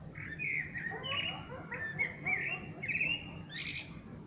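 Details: Common blackbird singing: a run of mellow fluted warbles rising and falling, ending in a brief squeaky high twitter, over a low steady hum.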